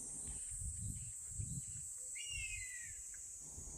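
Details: Common buzzard at a pond, crying continuously as if threatening something, gives one drawn-out, slurred mewing cry that falls in pitch, over a steady high insect drone and low wind rumble.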